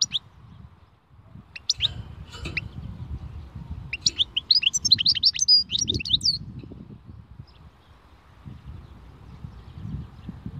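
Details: Khalwi-style song of a European goldfinch, a few thin, high notes followed by a lively two-second run of sharp, twittering chirps, with a low background hum throughout.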